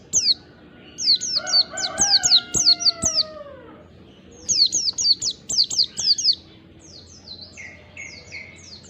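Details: Oriental white-eye lure from the wild: fast high descending chirps over lower whistled slurs from another bird, then a second chirping run and softer, more distant twitters with a buzzy mid-pitched note.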